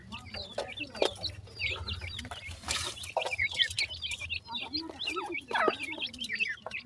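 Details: A group of black francolin chicks keeps up busy, high-pitched peeping, with quick looping chirps that run almost without pause. Scattered clicks, a brief rushing noise and a faint low hum sit underneath.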